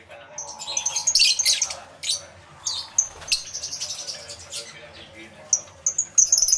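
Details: Many aviary lovebirds recorded live using a camera with two microphones: bursts of high squeaky chatter separated by quieter gaps, with faint background noise.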